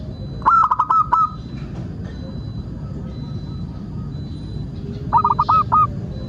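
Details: Local zebra dove used as a lure so other doves start singing: two short bursts of quick, bubbling coos about five seconds apart, with a quiet hiss and faint low notes between them.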